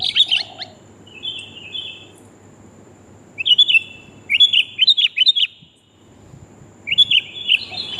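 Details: A female sooty-headed bulbul calls for a male, a lure recording: slurred, downward-sliding whistled notes in loose groups, with a silent gap before a final burst.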